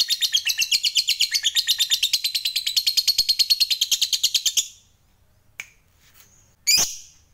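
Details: Lovebird fighter delivering its long chatter, ngekek panjang, meant to provoke rivals: a fast, buzzy string of high chirps running about four and a half seconds without a break, then silence broken by two brief sharp calls.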